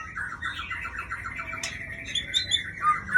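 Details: Aceh white-rumped shama, a breeding hen, gives a fast series of soft repeated mid-pitched notes, about three per second, ending with a few sharper high whistles.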